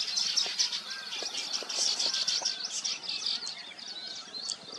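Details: Weavers busy nesting give a constant jumble of thin, high chirps and squeaky twitters, with a few soft lower clicks scattered through the chorus.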